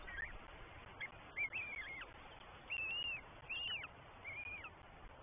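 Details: Goshawk chicks in a New Forest nest, England, begging on 20 May 2023 as the mother, then the father, feeds the brood of three, nest cam: clear, wavering whistled calls in short bursts, each lasting under a second, over faint hiss.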